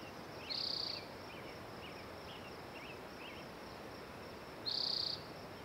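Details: Spotted towhee delivering two high, dry, buzzy trills about four seconds apart, with faint soft chirps from another bird between them and steady background noise.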